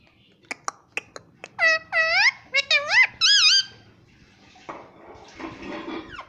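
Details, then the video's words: Indian ringneck parrot, a household pet that says "Mummy", making a row of sharp clicks, then several swooping, reedy mimicked syllables, ending in soft rustling noise. "मम्मी पापा बोलने वाला तोता _ Cute Indian Ringneck Parrot"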